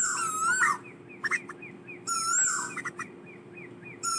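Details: Asian koel calls to gather the flock, loud swooping whistles that dip and rise, about two seconds apart, with soft short notes and a few sharp clicks between them over a low background hum.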